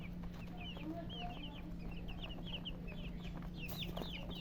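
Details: Baby chickens chirping with sharp, arched high peeps in a loose series, joined near the end by a short broadband rustle, all over a low constant hum.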